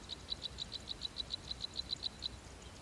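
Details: Golden-crowned sparrow nestlings begging as the female feeds them in the nest; a run of short, thin, high chirps repeated about five times a second, evenly spaced, over faint low background noise.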